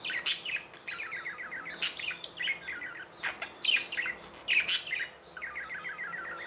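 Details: Tame pet budgerigars chirping: rapid runs of short warbled notes around the mid-high range, broken by sharp loud clicks, with several birds overlapping continuously.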